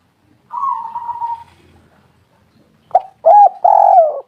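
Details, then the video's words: , a lure call meant to make other doves start calling: one long, slightly buzzy level coo, a pause, then three loud, rounded, downward-bending coos close together. "Tekukur derkuku gacor pol suara merdu raja pancingan"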